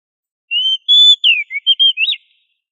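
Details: Oriental magpie-robin singing gacor ngobra style, played to train kacer to sing loudly: a phrase of about seven sharp whistles, some level, some swooping down, ending in a quick rising-falling flourish over a clean, silent background.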